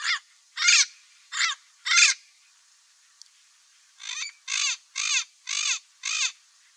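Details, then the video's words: A parrot gives harsh, squawking calls in two bursts, four then five, each about half a second long, with a short pause between the groups. "PAPAGAIO CANTANDO - O SOM DO PAPAGAIO - BARULHO DE PAPAGAIO - Canto do Papagaio"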